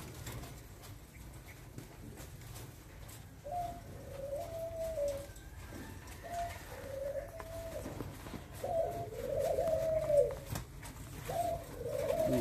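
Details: Thai strain spotted doves, large birds offered by a breeder, cooing in low, soft phrases that start after a few quiet seconds and repeat with short gaps, over a steady background hum and scattered clicks.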